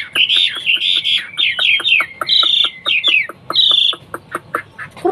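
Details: Hwamei, a bird from China known locally as wambi, singing a rich, varied song of loud, slurred whistled phrases, rapid repeated notes and clear, sustained high whistles.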